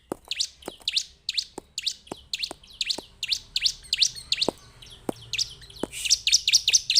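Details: Song of a Bar-winged prinia, locally ciblek: rapid, high, descending chirps repeated steadily, mixed with sharp low clicks or taps throughout and a slightly busier, overlapping burst near the end.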